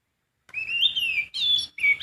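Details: Wild sooty-headed bulbul giving a brief phrase of clear whistled notes, a drawn-out warbling note followed by two quicker, higher slurred notes, with no other sounds heard.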